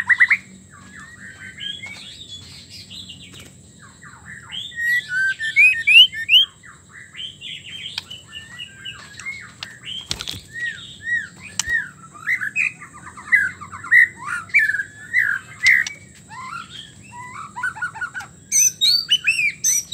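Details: White-rumped shama; female call; female calling to the male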